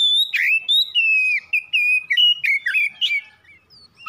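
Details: Oriental magpie-robin singing to provoke other birds to sing: loud, clear whistled notes, some long and steady, others sliding down, strung into a fast varied phrase that fades at the end.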